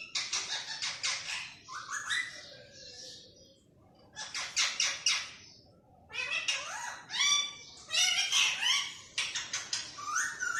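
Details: Pet green parrot talking like humans in rapid chattering bursts. Harsh raspy syllables mix with bent, speech-like tones in three main runs, the last one dense and continuous, with short quiet breaks between runs.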